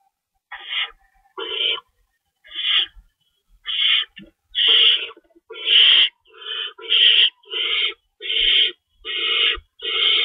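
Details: Owls at the nest during a pre-dawn feeding on March 25, 2012, with two rabbits stored. Rasping, hissing screeches start sparse, then run together in a dense, steady series toward the end.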